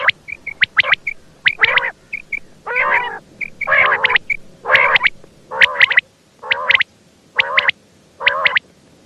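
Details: Female quail calling in a rapid run of harsh, buzzy nasal notes. They are interleaved with short high ticks and chirps that come in pairs, with gaps between bursts near the end.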